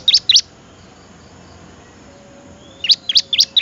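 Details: Bar-winged prinia song used for training other songbirds: two sharp high chirps, a quiet pause of over two seconds, then four more bright chirps in quick succession.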